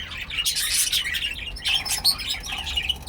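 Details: Pet cockatiel letting out shrill, grating screeches in two close bursts, loud and high-pitched with a rough, noisy tone.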